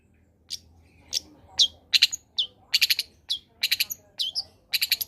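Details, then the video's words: Combination song of a long-tailed shrike, used to draw quiet shrikes into singing: high sharp chips and short whistled slurs, some in quick stuttered clusters, with faint background murmur. "Suara Asli Cendet Gacor Kombinasi.. Solusi Pancingan tepat buat cendet malas bunyi agar ikut bunyi"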